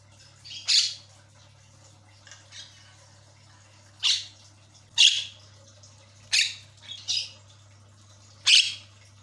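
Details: Javan myna lure sound to make a quiet bird chatty again: separate loud, rasping bursts every second or two, some followed by softer notes, with a low steady hum throughout.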